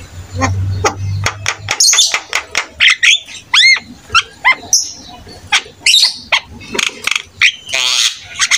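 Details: Jalak kebo (buffalo starling) singing, a rich varied song meant to train young starlings and draw replies; rapid clicks and ticks interspersed with arching whistled notes and harsh bursts, low hum early on.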